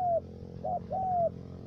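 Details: Spotted dove kept as a trapping decoy in U Minh, Cà Mau, Vietnam, three-note voice; the end of one falling coo, then a brief wavering note and a drawn-out descending coo, with a faint low hum behind.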